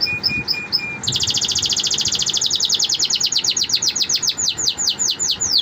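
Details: Domestic canary song, opening with a few short high notes and a thin whistle, then a long rapid trill of downward-sweeping notes that gradually slows and broadens over five seconds.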